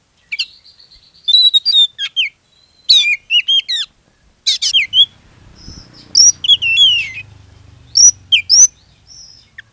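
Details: Oriental magpie-robin lure song, used to make other magpie-robins sing: varied bursts of sharp high whistles, clicks and slurred notes in short phrases separated by pauses, with a faint low hum in the middle.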